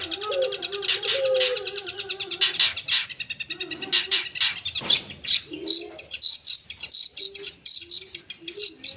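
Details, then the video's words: Long-tailed shrike in busy chattering song packed with mimicked phrases: dense buzzy rattles and sharp clicks, low short notes, then a run of bright, high chirps repeated about every half second. "Suara Burung Cendet Gacor full Isian"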